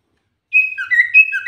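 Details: Common iora song, singing vigorously as a lure: after a short silence, a brief string of clear whistled notes that alternate between higher and lower pitches.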